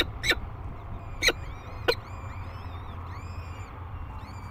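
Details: Peregrine falcon at a cliff-face nest near La Crescent, Minnesota, above the Mississippi River, on the day two chicks hatched: three short harsh bursts in under two seconds, then thin arched chirps over a steady low rumble.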